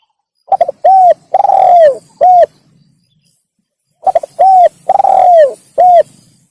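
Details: Spotted dove (tekukur) lure call: two phrases about three and a half seconds apart, each with quick stuttered notes, a clear coo, a drawn-out raspy coo and an ending coo.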